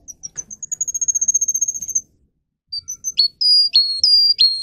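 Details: Russian canary, bred for singing, used to teach young canaries: a fast high whistled trill for about two seconds, a short silence, then loud sustained whistled notes that start with a quick upward sweep.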